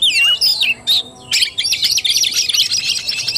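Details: Oriental magpie-robin in fighting style (tarung), 17 August 2021: a few clear swooping whistles and one sharp squeak open, then a hurried, buzzy torrent of high twittering notes.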